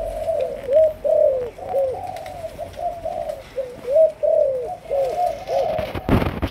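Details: Young Malaysian spotted dove, a newly cooing bird in decoy training, gives soft low coos, each a short dipping note, in loose repeated phrases with brief pauses between them.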